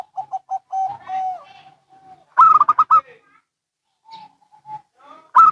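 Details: Zebra doves, local and Bangkok types, answering each other in a cooing exchange: soft level coos near the start, then a loud rapid burst of stuttering rising coos, a quiet pause, and another loud burst at the end.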